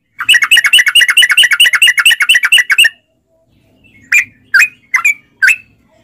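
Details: Sooty-headed bulbul in long rapid 'ropel' song, used as a lure to make caged bulbuls sing: a fast run of about twenty sharp, chirpy notes over three seconds, a short silence, then four separate louder upslurred notes.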